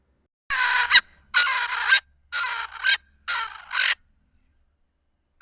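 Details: In southern Africa, a Swainson's Spurfowl gives loud, harsh, grating crows: four rasping bursts of about half a second each in quick succession, with a fifth just beginning.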